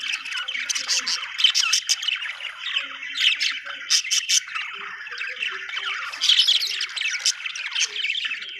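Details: Budgerigars chirp and squawk in a dense flock-like chatter, sharp high clicks scattered throughout, the warbling swelling around six seconds in.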